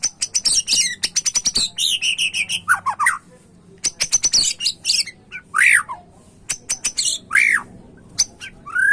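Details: White-rumped shama singing: rapid series of sharp clicking ticks, then rich slurred whistles rising and falling, with repeated loud swooping phrases over a low background hum.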